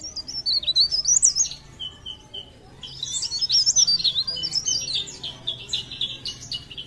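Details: Leaf warbler, Pare Pare, singing blereng gacor: near-continuous high, bright warbling of rapid up-and-down notes, a short softer lull around two seconds, then a sustained, busy flow of darting phrases.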